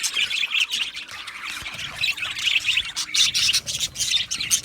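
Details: Budgerigars, also called budgies, chirping contentedly; a crowded flock produces continuous warbling, scratchy chatter with brighter chirps rising and falling.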